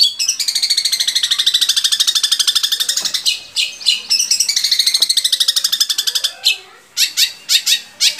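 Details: Long-tailed shrike song played to get captive shrikes singing: long buzzy rapid trills of fast repeated ticks, broken by short pauses, ending in separate sharp chirps.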